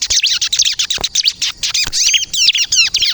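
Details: Ciblek kristal, the bar-winged prinia, gives a hurried high song meant to lure and provoke birds into answering: dense, scratchy twitters and clear downslurred whistles packed into rapid bursts.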